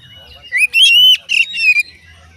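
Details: Oriental magpie-robin song to make other magpie-robins respond, a few loud drawn-out whistled notes with harsh edges, in two or three bursts.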